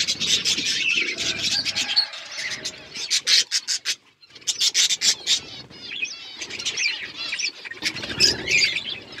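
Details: Budgerigar flock eating food, a dense chatter of warbling, scratchy chirps with rapid broadband clicks, several pauses, one brief silence near the middle.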